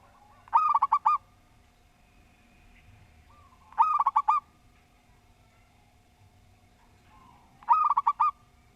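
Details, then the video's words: Zebra dove of a local Javanese strain, cooing in an orderly pattern: three bursts of rapid, mellow, bubbling notes spaced about three to four seconds apart, each with a soft lead-in, over a constant low hum. "Perkutut Lokal Gacor Suara Tersusun"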